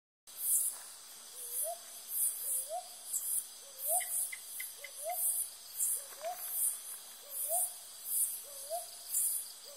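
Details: Brown boobook giving a steady series of short, rising two-part hoots, about one per second, over a loud pulsing insect chorus and a constant high cricket drone.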